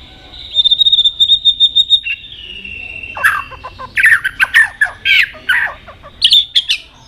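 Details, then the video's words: White-rumped shama singing many varied notes and switching voices while repeatedly flicking its tail: a steady series of high pulsed whistles, then a long held tone, then a jumble of sharp, varied whistled and chattered phrases. "chòe lửa hót nhiều giọng đảo giọng đập đuôi liên tục"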